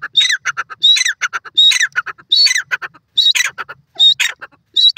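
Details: White francolin, known as irani teetar; loud grating squawks in rhythmic phrases, each opening with a strong harsh note and trailing into quick choppy syllables, repeated about once per second, with brief gaps between phrases.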